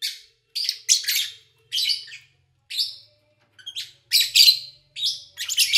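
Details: Kept lovebirds chirping, recorded in August 2019 while their owner was away, with little engine or human noise; harsh, shrill bursts of chirps come in short clusters separated by brief silences.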